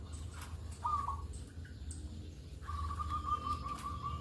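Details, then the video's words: Morning zebra dove, a local bird used as a calling lure: one short trilled coo, a pause, then a long even trilled note held to the end, over low background rumble and faint distant chirps. "pancingan perkutut pagi hari Di jamin ikut bunyi"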